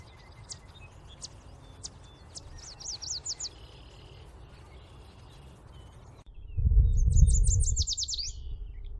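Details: Yellow warbler singing a quick series of high, sweet slurred notes, phrases repeated twice, over steady low rumbling background noise that swells loudly near the end.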